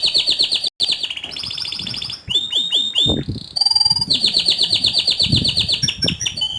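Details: Lively rolling canary song, called outstanding: long fast trills held at a high pitch, broken by a short gap, then sweeping descending notes and renewed rapid rattling tours, loud and continuous.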